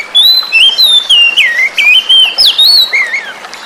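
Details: Oriental magpie-robin singing, played to coax silent birds back into song: a continuous run of clear, loud whistles sliding up and down, phrases of about a quarter second in quick succession.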